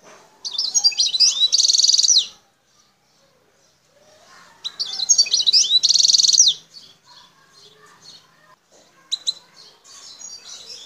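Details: Wild Algerian European goldfinch from the El Tarf area, Bouteldja, singing: two bursts of dense, rapid twittering and buzzy trills high in pitch, separated by a pause, followed by softer scattered chirps.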